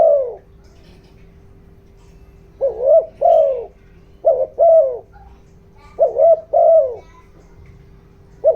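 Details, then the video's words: Spotted dove kept as a decoy, giving 'giọng đồng' coos meant to draw wild doves. After a quiet gap, soft two-note phrases of a short rising-falling note and a longer descending coo repeat about every one and a half seconds, with faint hum. "chim cu gáy mồi, tiếng chim cu gáy kích bổi, tiếng chim cu gáy giọng đồng ,tiếng chim cu gáy hợp bổi"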